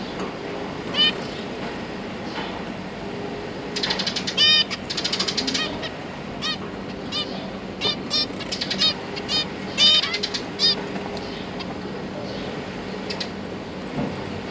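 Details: Zebra finch parents feeding their young, three juveniles and three newly fledged babies, November 2022; bursts of nasal, buzzy calls cluster between four and eleven seconds, some rapid and overlapping, with a constant low electrical hum beneath.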